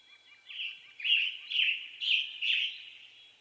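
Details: Western tanager of western North America singing a burry, hoarse series of short phrases, about five phrases roughly every half second and growing louder, with faint rapid lower chirps underneath early on.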